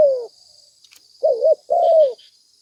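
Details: Spotted dove call used as a lure to attract other doves: a low, soft coo that falls away, then after a pause two quick hollow notes and a longer falling coo, over a faint steady high hiss.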